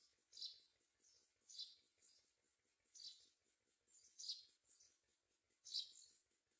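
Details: Mynas feeding their babies with crickets and other food; a run of breathy, harsh rasps roughly every second, alternating louder and softer, with a steady faint ticking underneath.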